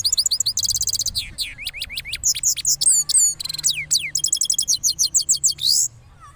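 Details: Cross goldfinch after moulting in full rolling song, a varied torrent of fast high chirps, slurred whistles and buzzy trills, nearly continuous for about six seconds before stopping.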